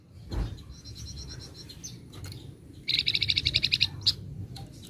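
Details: A flamboyan heard against background noise: a faint run of thin high notes, a brief pause, then a clear, fast trill of about a dozen sharp chattering notes and one final squeak.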